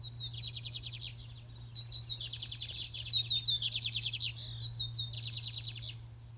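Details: At a singing contest, a fiery Lined seedeater delivers near-continuous song: fast buzzy trills laced with sharp whistled notes, three linked phrases over six seconds.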